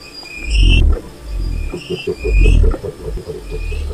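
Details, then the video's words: Wild cassowary: two strong low booms about two seconds apart, separated by quicker pulsing throbs, while high upslurred whistles sound in the background. "O Canto do Casuar Selvagem"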